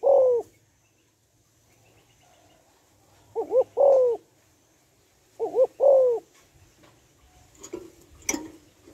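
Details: Spotted dove hen cooing to excite males. Three phrases come roughly every two to three seconds, each with two quick warbled notes and then a long, slightly falling coo. Clicks and knocks follow at the end.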